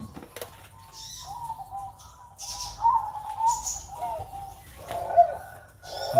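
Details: Caged perkutut (zebra dove) on a Sunday morning giving a series of rolling coos in short phrases, each with a brief bright accent, separated by pauses, with light clicks and faint high chirps around.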